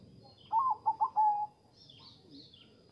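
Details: Zebra dove sound used to lure and stimulate zebra doves: a short run of soft low coos, three quick notes then a longer held coo, followed by faint higher chirps from other birds.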